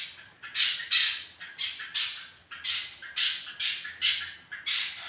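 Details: Long-tailed shrike lure sound meant to make a kept bird sing quickly: a rapid series of loud, rasping squawks, about two per second, each harsh and broadband, with little background noise.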